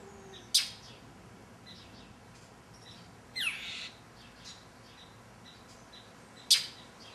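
European Starling alarm calls: two sharp, harsh bursts six seconds apart and a buzzy falling note between, with faint chirps of other small birds.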